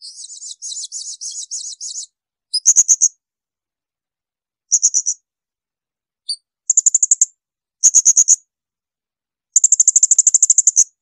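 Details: Blue-crowned hanging parrot, shrill bursts meant for tutoring songbirds: opens with a warbling series of squeaky high notes, then several volleys of fast, piercing pulses, ending in a long rattling burst of about fifteen pulses.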